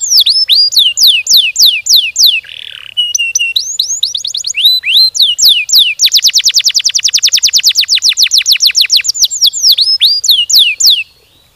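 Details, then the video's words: Canary song used to prompt other canaries: long rolling phrases of fast descending whistled sweeps, repeated rapidly, breaking into a dense high trill of closely spaced notes for several seconds, then back to slower sweeping whistles. "Burung kenari gacor ngerol ngedur panjang, Suara Kenari gacor speed rapat untuk pancingan kenari"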